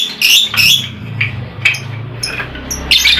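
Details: Lovebird, kept as a cage bird, heard as a lure to stir lazy, silent lovebirds into singing. Short, sharp, high chirps come in quick bursts over a steady low hum.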